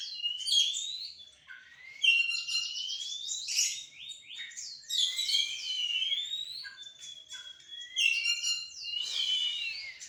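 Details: Kacer in a singing contest between two birds: varied high whistled phrases with rapid rattling trills and sweeping slurred notes, delivered in bursts every two seconds or so.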